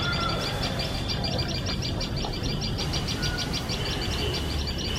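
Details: A pair of tailorbirds raise a shrill alarm as a male cat settles dangerously near their nest. Piercing high chips repeat steadily at about four per second, over constant low background noise.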